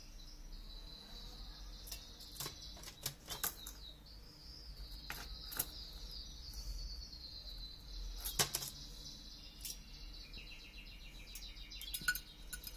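A canary keeps up a thin, high, rapid trill, broken by sharp fluttering clicks.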